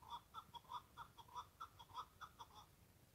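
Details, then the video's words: Wild chukar partridge repeating clucking, chuckling notes about four times a second in a steady rhythmic rally, over a faint low background rumble. "Keklik sesi"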